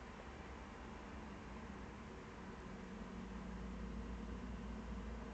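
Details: Only a steady hiss and low mechanical hum are heard, with no animal calls.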